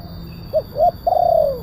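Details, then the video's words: Spotted dove, a big-voiced kuk 1 style caller used as a lure for wild doves: two short rising hoots, then one long drawn-out coo that slides gently downward, over a low background rumble. "Suara pemanggil burung tekukur kuk 1 penguku suara besar"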